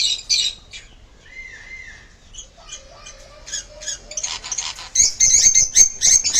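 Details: Pet sun conure vocalising: harsh high squawks at the start, a short steady whistle, scattered chirps, then a run of loud rapid rasping squawks over the final seconds in a quiet room.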